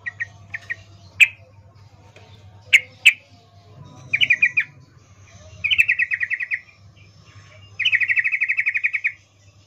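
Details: Female sooty-headed bulbul calling a male with an in-heat 'ngecuplik' call: sharp single chips, then three bursts of rapid chattering notes, each about a second long and growing longer, over a steady low hum.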